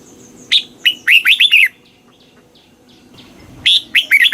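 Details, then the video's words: Red-whiskered bulbul song, southern master style, used to rouse caged birds: a fast run of clear, warbled rising notes, a pause, then a second energetic phrase. "เสียงนกกรงหัวจุก ร้อง ริก เปิดให้นกฟัง ยั่วให้นกคึกจัด"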